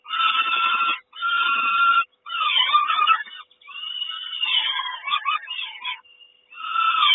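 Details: Kawęczyn peregrine falcon nest on 3 June 2022, mother arriving with breakfast. Rough, screechy calls come in separate bursts, with twisting pitch in the middle and a faint thin whistle in one gap.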